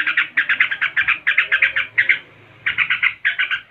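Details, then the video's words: Rapid-fire 'tembakan' of a yellow-vented bulbul, ngebren style: strings of loud, chattering pulses, a half-second break, then more quick bursts. "HOROR.!!!! Tembakan SUPER, Trucuk ngebren (gacor)"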